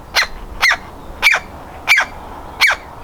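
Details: Nestling woodpecker eager to get out of the nest hole, calling with five loud, rasping notes spaced about every half second to two thirds of a second.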